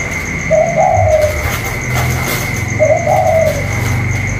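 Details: Captive spotted dove of the 'cu còi' type dueling with a wild dove outside, 27 October 2022; two well-spaced mellow coo phrases roughly two seconds apart, with low rumbling background and a constant high whine.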